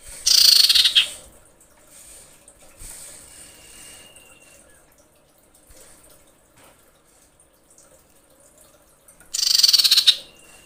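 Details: Breeding female common iora calling males: a loud rasping, pulsed screech lasting under a second, then near silence with a faint thin whistle, and a matching harsh burst about nine seconds later.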